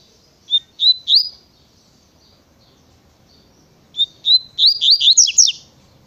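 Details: Double-collared seedeater giving a fast natureza tui-tui song in two bursts. Each burst starts with a clear whistle, then rises into rapid, sharp, slurred buzzy notes. The second burst is longer and louder. Quiet between phrases.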